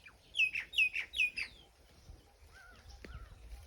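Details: Birds chirping on a peaceful summer morning in a village after the wheat harvest: a run of five bright, descending chirps repeated quickly in the first second and a half, then a few fainter whistled notes over quiet background.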